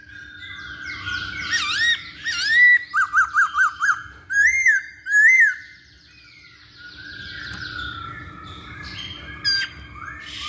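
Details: Masked laughingthrush song used as a lure to get other birds singing: loud clear whistles, a quick run of five to six rapid rising-falling notes, then paired slurred whistles, followed by quieter notes and low background hum.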